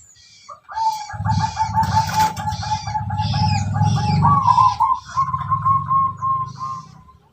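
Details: Local wild Tuban tangguh zebra dove with its distinctive rhythmic song: a long run of rapid, evenly pulsed cooing notes that brightens and rises slightly near the end, over steady low rumbling.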